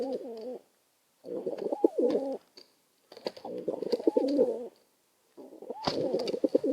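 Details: Quarrelling pair of pigeons jostling for space; four bursts of rolling, burbling coos about a second long each, separated by short pauses, with knocks and scraping mixed in.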